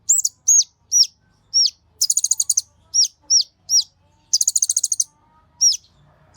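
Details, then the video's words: Kolibri Ninja sunbird singing energetically as a tutor recording for other birds: shrill hooked whistles interspersed with fast high metallic trills, clean with little background. "Pancingan Burung KONIN gacor emosi untuk KOLIBRI NINJA ijoan sampe metalik bongkar materi mewah"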